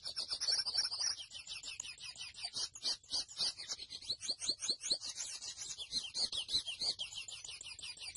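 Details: Grey seedeater, known locally as mochuelo, in continuous rapid song: a dense stream of high chirps, trills and short whistled notes repeated several times per second without pause.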